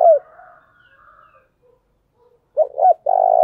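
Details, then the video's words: ["A decoy spotted dove calls in the 'thúc bổi' manner, 'thổ đồng' voice. A faint trailing coo fades out, followed by a pause. A sharp double note and a loud, steady, purring croo come at the end."] "tiếng cu mồi thúc bổi căng đét/ Tiếng cu gáy mồi chuẩn gáy gọi"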